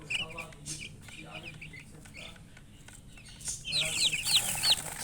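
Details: Chickens give scattered high peeps at first, then four loud, clear downslurred chirps in quick succession near the end, with a low hum behind.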